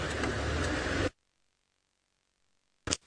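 A second of broadband vehicle rumble and mechanical noise, then silence, ending with a brief click-like burst; no animal voice is heard.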